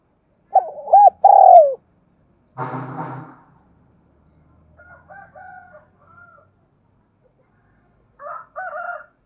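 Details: Spotted dove kept as a decoy, calling to provoke wild birds: one short phrase of arched coos and a long hollow note, followed by a low buzzy rattle and faint, softer, higher-pitched calls.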